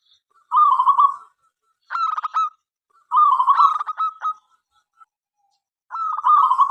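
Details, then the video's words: Local zebra dove in full song, inviting other doves to answer: four rolling trilled cooing phrases separated by short pauses, several breaking into quick clipped notes. "perkutut lokal gacor suara MENGGODA apapun jenisnya 5 detik nyaut"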